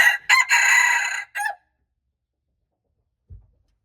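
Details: Red junglefowl, March 2, 2025, crowing with short starting syllables, a long steady harsh note and a quick falling ending. Silence follows, broken by a single soft low thump.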